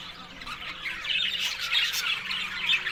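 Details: Australian budgies feeding on green food in the morning in Larkana, Sindh; quieter chirps at first, then the flock's busy high squawks and warbling chatter swell louder.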